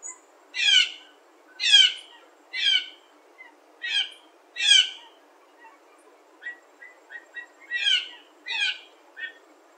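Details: Blue jay in a small morning flock in spruce trees, early September, uttering loud raspy down-slurred calls in irregular bursts, interspersed with softer short clicking and piping notes.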